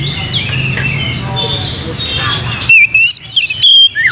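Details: Oriental magpie-robin song meant to provoke singing: a murmur of mixed bird chatter gives way to loud, clear whistles in punchy bursts with sliding upward and downward notes.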